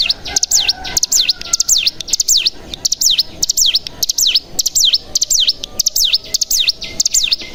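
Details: Lure song of the mountain tailorbird (cigun): loud high whistles dipping and rising in V-shaped notes, given in quick clusters roughly every second throughout.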